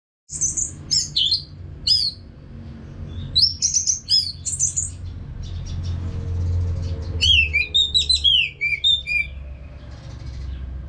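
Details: Orange-headed thrush (anis merah) from North Bali, Singaraja, singing continuously to prompt other birds to sing along. High, varied, twisting phrases come in bursts separated by short pauses over a low hum.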